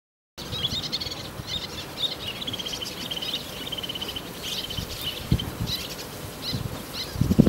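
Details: Male little tern calling in courtship after the female accepts his fish gift, filmed 10 June 2010 in Japan; a run of short, high chirping notes repeated in quick series, with steady background noise and low rumbling.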